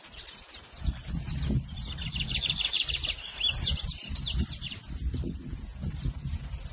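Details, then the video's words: Bird singing a busy, high-pitched song of fast chirps and short whistled phrases that peaks in the middle, accompanied throughout by a steady low rumble of background noise. "What bird is this ?"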